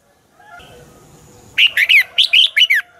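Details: Red-whiskered bulbul dueling song from a lure bird for training: a low rumbling background, then a brisk series of seven sharp, bright whistled notes with downward slurs.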